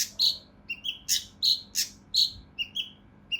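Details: Harsh, close-set shots from a mountain leaf warbler (cucak rante mas), used to tutor contest birds: spaced loud raspy chips interleaved with short thin whistles.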